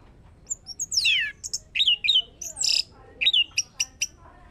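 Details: Orange-headed thrush singing, played as a lure to make another bird sing: varied loud phrases of steeply descending whistles, sharp chips and buzzy notes, separated by short pauses, with quieter soft notes between.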